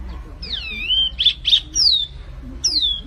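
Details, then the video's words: Flamboyan bird singing vigorously for training recordings: long descending whistled slurs alternate with two short buzzy bursts, phrases separated by brief pauses. "SUARA BURUNG MIRIP FLAMBOYAN GACOR"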